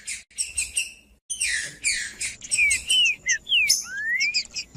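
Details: Green-winged saltator male singing macheando style to provoke other males: scratchy high chattering bursts, then a series of clear whistled slurs, falling and then rising, delivered in quick succession.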